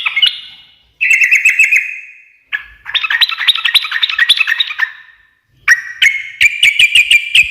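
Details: Sooty-headed bulbul in vigorous chattering song in the gacor ngekek garuda style, said to make other birds answer at once. Loud bursts of varied, fluty and scratchy notes are separated by short pauses, ending in rapid, ringing repeated notes.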